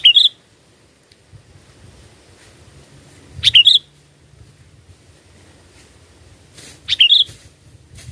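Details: Sooty-headed bulbul song serving as a trapping lure: three brief, bright bubbly phrases of a few chirped notes each, repeated about every three and a half seconds, separated by near silence with faint low background rumble.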